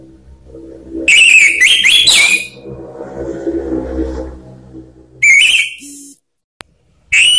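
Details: Orange-headed thrush lure song intended to set off singing in kept birds: a loud chattering phrase with sliding whistles, a stretch of soft murmuring background noise, a sharp click, then two more harsh whistled bursts.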